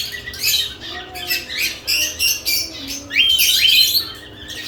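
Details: Lovebirds around newly installed nest boxes chatter in rapid shrill chirps, several per second, building to a louder rising squawky burst about three seconds in; steady low background hum.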